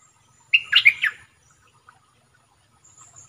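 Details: Red-whiskered bulbul used as a caged decoy to attract wild birds, giving a short phrase of four quick, sweet, slurred notes, then near silence with a faint high tone and low background hum.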